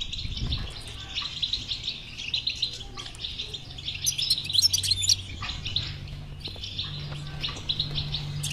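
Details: Stimulation twittering of a European goldfinch, played to make a silent bird sing: steady high chatter of quick chirps, peaking in a sparkling burst midway, over a low hum.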